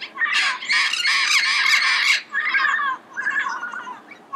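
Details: Early-morning red-crowned amazon calling in Pasadena: loud, rough, honking squawks pour out almost without break for about two seconds. After that come shorter, lower raspy bursts, each separated by brief gaps.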